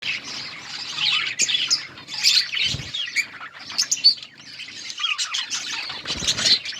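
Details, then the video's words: A colony of budgerigars chirping while eating: dense overlapping high chatter and squeaky twitters from many birds, with brief pauses and occasional wing flutters. "Budgies parrot eating and chirping sounds budgies colony"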